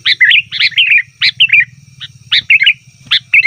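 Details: Sooty-headed bulbul, lively lure calling for wild bulbuls: short phrases of two or three slurred, bubbly notes repeated roughly every half second, with a low hum underneath.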